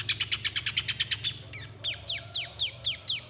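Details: Little spiderhunter used to prompt other birds to sing: quick high chip notes, then slower, separate whistled notes that drop steeply in pitch, over faint low hum.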